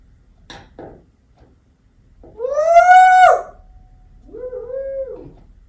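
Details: Pet African grey parrot indoors imitating a burglar alarm on request while its owner pretends to leave the room; a few soft clicks, then a loud rising-and-falling siren-like wail, followed by a quieter falling whistle.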